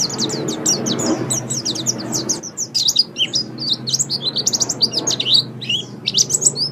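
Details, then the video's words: White-eye singing, as a tutor recording for caged birds played in morning or evening. Dense, very high chittering notes tumble quickly over a soft low background hum, with a short break partway through. "Masteran Terbaik Pleci Mata Putih"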